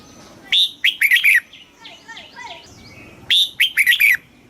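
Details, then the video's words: Red-whiskered bulbul, Thai southern master-pattern song for rousing caged birds and teaching young: two matching rapid phrases of five to six bright, bubbly whistled notes about three seconds apart, soft distant twittering between. "เสียงนกกรงหัวจุก สำหรับต่อ หรือ เปิดให้นกคึก"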